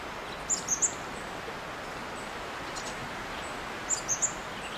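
A chestnut-backed chickadee gives two quick bursts of three very high, thin, squeaky notes about three seconds apart, over a steady background hiss.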